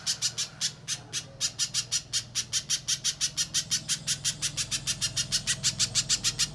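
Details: {'caption': 'Little spiderhunter used as a lure to make other birds sing: a fast, unbroken train of harsh, high, clipped notes, slightly quickening toward the end, over a low hum.'}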